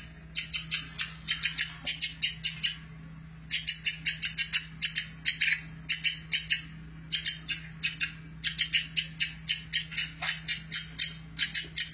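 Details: A woodpecker gives bursts of sharp, high, rapid notes, about five a second, over a thin steady whine and a low electrical hum; its voice is kept by Indonesian songbird hobbyists as a master-call recording.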